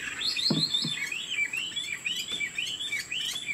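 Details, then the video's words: . A tame caged Chinese Hwamei sings rolling, wavy whistled notes that rise and fall in quick succession. A couple of low thumps are heard early on. "Họa mi thuần 90%, chơi cánh, hót gật gù múa lân"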